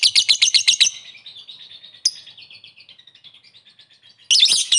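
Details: Lovebird calling to rivals: a burst of fast, shrill chirps fading into a softer, quicker trailing twitter, then a sudden loud harsh chatter at the end.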